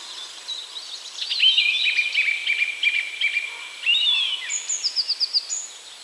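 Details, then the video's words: Song thrush singing at a location in northeastern Poland: varied high whistled and chirping phrases, then a rapid series of five or six sharp repeated notes near the end, with faint background noise. "Song thrush / Drozd śpiewak"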